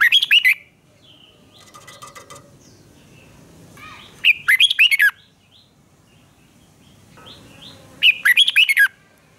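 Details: Red-whiskered bulbul singing in a duel style, used to train and provoke another bird to sing. Loud rapid bubbly whistled phrases come in three bursts about four seconds apart, with quieter chattering notes between them.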